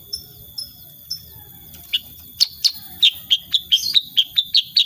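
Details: Sooty-headed bulbul (kutilang sutra) in lively song: a few soft slurred notes, then a quickening series of short clear chirps repeated about twice a second, over a faint continuous high tone.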